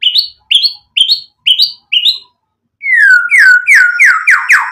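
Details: Lively white-rumped shama singing to goad rival shamas into answering: five sharp rising chirps in a row, a short pause, then a rapid series of loud slurred notes sweeping downward.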